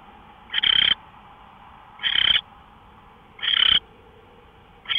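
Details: Owl recorded March 24, 2013 at 5:27 in the morning, giving three full raspy screech bursts and the start of a fourth, evenly spaced about 1.4 seconds apart, over steady background noise.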